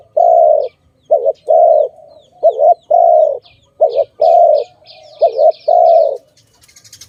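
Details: Dove recorded around bird trapping, cooing steadily: five rapid phrases of a short wavering note and a longer smooth hum, about every second and a half, with scattered high chirps from other birds.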